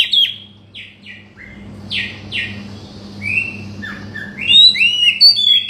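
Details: Oriental magpie-robin song to provoke a bird that has stopped singing: spaced sharp downward whistles and buzzy strokes, then a rising sequence of mellow and high whistled phrases building to a busy finish, over a faint hum.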